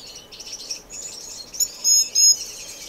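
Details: Indoor community aviary finches in Edmonton, Canada, in March. Continuous high, buzzy twittering is heard, with louder, sharper nasal notes standing out near the end.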